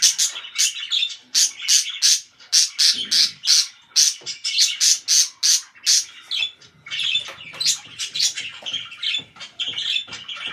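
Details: Loud pet budgerigars chirping: a rapid series of sharp, bright chirps and squawky notes, followed by busier, warbling chatter mixed with scratchy sounds in a small room.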